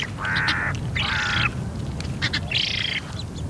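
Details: A young Eurasian Spoonbill begging for food at Bislicher Insel, 12 September 2021, 15:35, gives three nasal, wheezy begging calls, each about half a second long, over a steady low rumble of background noise.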